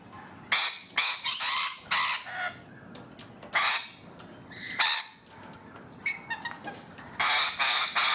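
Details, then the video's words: Harsh, grating screeches from rainbow lorikeets on a balcony, delivered in irregular loud bursts of varying length, some clustered closely, with quieter gaps between. "Balcony Birds EPISODE 1: Rainbow Lorikeets"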